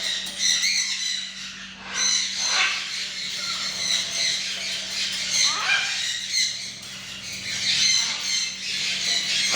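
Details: Harsh, scratchy squawking from a tame macaw, repeated in uneven rapid bursts with short gaps, over a faint steady background hum.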